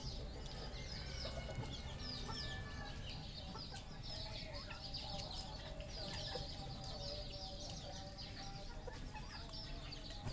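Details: Cambodian farm flock of red junglefowl giving a continuous wash of high slurred chirps and scattered soft clucks, with a low steady hum throughout.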